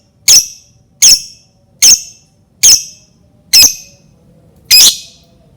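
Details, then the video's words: Shrill lovebird squawks used to trigger other lovebirds to sing: six single, piercing, harsh notes spaced a little under a second apart, the last one longer and louder, with a quiet room behind. "Pancingan Lovebird dijamin Lovebird lain langsung bunyi"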